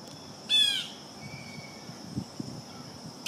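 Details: Blue jay eating peanut suet gives two harsh, harmonic-rich calls, one near the start and one cut off at the end, over quiet rural background noise with soft low rustling.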